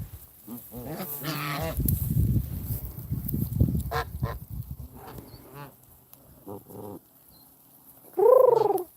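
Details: Pet geese, among 17 including Canada geese and an adult gander guarding the flock by standing between a man and the others, give scattered nasal honks ending in one loud, drawn-out honk, over a man's voice and low rumbling handling noise.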